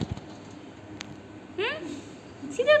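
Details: A pet Alexandrine parakeet named Mithu mimics the Urdu/Hindi phrase "aa jao" (come here), a short, throaty, two-part phrase gliding up then down, then a brief tonal note, over quiet room noise while its owner coaxes it indoors.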